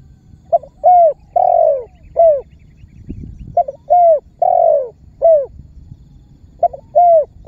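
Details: Spotted dove calling and pressing as a lure that sets other birds calling: three repeated phrases of short note, coo, long drawn falling coo and short coo, with a brief low rustle in one gap.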